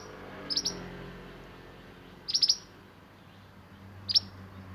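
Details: Sunbird, locally called mantenan, singing the roll nembak type kept for masteran tutoring; high, sharp ticking bursts of two to four notes spaced about two seconds apart over quiet background hum.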